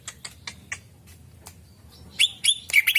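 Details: Greater green leafbird song used as a lure for other birds: sharp clicking notes repeated in quick succession, then bright, whistled, warbling phrases rising and falling near the end.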